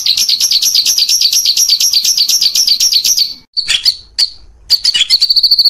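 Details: White-rumped shama tutor song for training birds: a fast, rolling trill of high repeated notes, then sharp varied whistles.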